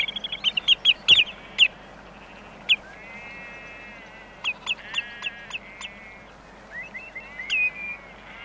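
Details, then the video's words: Common redshank calling close by: loud, sharp, piping notes given in quick bursts of several, then single notes after pauses. Sheep bleat with wavering tones between the calls. "Redshank. CU Calls And Flight Display Song."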